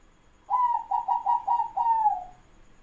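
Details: Kept zebra dove acting as a lure, with a rival bird answering fast. One full mellow phrase: a brief first coo, a run of four short rhythmic coos, then a long falling final coo. Nothing else is audible.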